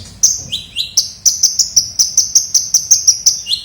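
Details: Ninja sunbird (kolibri ninja) lure recording: rapid, evenly repeated high piercing tsip notes, about four per second, opening with a few lower downslurred chirps.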